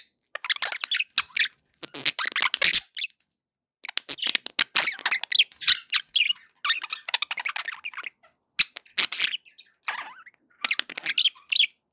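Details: Budgerigar chatter for pet parakeets: clusters of scratchy squeaks, clicks and short warbles in bursts of one to two seconds separated by brief silences, high-pitched and busy throughout.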